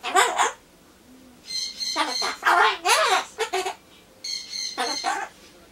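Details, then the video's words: Pet Ducorps's cockatoo talking to itself while waiting for pumpkin, saying phrases such as 'cute'; rapid bursts of chatter, a wavering up-and-down mimicked phrase mid-clip, and harsh high notes. "ソロモンオウムたろちゃん カボチャを待ってる間のひとり言"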